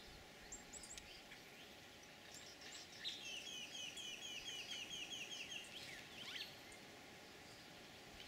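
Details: Green Jays giving a snake alarm at a bullsnake at Laguna Atascosa National Wildlife Refuge, Los Fresnos, Texas, on 2017-04-12. A fast, harsh series of repeated high notes runs for about three seconds, with scattered chirps before and after.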